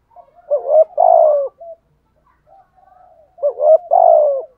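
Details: Spotted dove used as a decoy, giving the urging 'thúc gù' coo: a soft low note, then a stuttering pair of coos and a long, falling, throaty coo, repeated twice with faint murmurs between.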